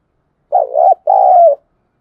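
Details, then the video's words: At dawn a spotted dove gives a single low coo phrase in the thúc gù or calling style, a brief wobbling note followed by a longer steady one that falls slightly at its close. "Tiếng chim cu gáy thúc gù và gáy gọi lúc tờ mờ sáng"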